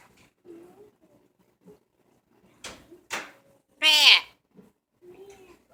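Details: A male talking parrot mutters soft, speech-like phrases, then gives two sharp clicks and one loud, harsh, falling squawk before quieter chatter resumes. He reportedly does this every time the door opens.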